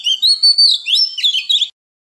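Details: {'caption': 'Oriental magpie-robin song in a wild-type voice, played to train young birds and stir wild-caught ones into singing: quick, bright whistled notes, some sliding upward, packed into under two seconds.'}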